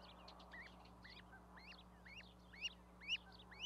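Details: Goslings on an osprey nest platform in Charlo, Montana, on 12 May 2020, with a parent goose brooding them. Clear high, upslurred peeps repeat about twice a second, growing louder toward the end over a steady low hum.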